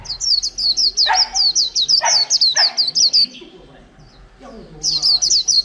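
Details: Wild-caught white-eye in a cage for over a month, singing líu: long rapid train of high, sliding whistled notes, a quiet gap, then the run resumes, with lower chirps between.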